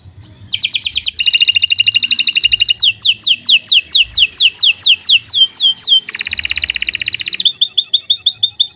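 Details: Kenari Nusantara canary, long gacor song used to coach young or silent canaries: unbroken medley of buzzy rolling trills, rapid sweeping whistled notes repeated in series, and a high rattling trill near the end.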